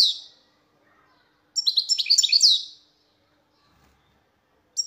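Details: Goldfinch song: a single lively phrase of rapid chirping, twittering notes with sweeping downward slurs, lasting just over a second, preceded and followed by brief fragments.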